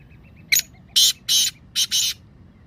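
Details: Harsh, rasping call series of a black francolin in its 'masti' calling voice: five loud scratchy notes, a short one followed by two longer ones, a pause, then a quick closing pair.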